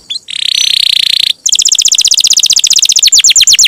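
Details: Canary singing a long roll for songbird training: a brief chirp, a steady buzzy trill held about a second, a pause, then a fast rattling high roll of rapid repeated notes that slows toward the end.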